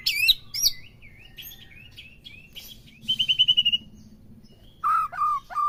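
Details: White-rumped shama song used to stir a captive bird into full singing: scattered sharp whistles and slurred notes, a rapid buzzy trill near the middle, then three loud downslurred whistles at the end, with quiet pauses between.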